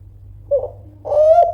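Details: Spotted dove of the Kelantan type, a loud call meant to provoke rivals into answering: a short soft coo, then a longer, louder, steady tonal coo ending in a small dip, over a low constant hum.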